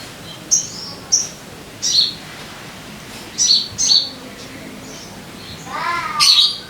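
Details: Sogon lure sounds to make caged birds sing: scattered sharp, high chips repeated at irregular intervals, followed by a brief lower warbled phrase and a final bright burst.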